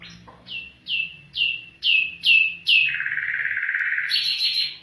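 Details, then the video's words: Afghan bulbul singing: five loud downslurred whistles, each falling quickly, repeated at an even pace, then a steady buzzy trill that climbs to a higher rattling trill at the end. "Afghan bulbul bird voice افغانی بلبل کا آواز"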